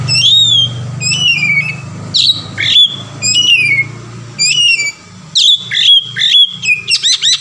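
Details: Varied 'ngeplong' song of an Oriental magpie-robin, meant as a lure to start another bird singing: sweet whistled notes sliding downward, sharp upswept chips and rapid trilled bursts, separated by short pauses over a faint low hum.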